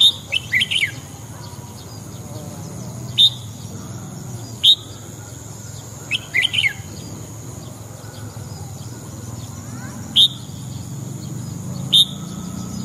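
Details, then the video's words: Red-whiskered bulbul singing in the morning: short bright whistled phrases repeated at intervals of one to two seconds, each a quick rising-and-falling chirp, over a steady faint high whine and low background hum. "chào mào hót sáng"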